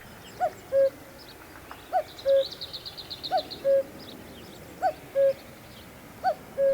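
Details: A Common Cuckoo sings in spring, when it returns to the UK, giving its clear, falling two-note 'cu-coo' five times, about every 1.4 seconds, with faint high chatter from another bird behind.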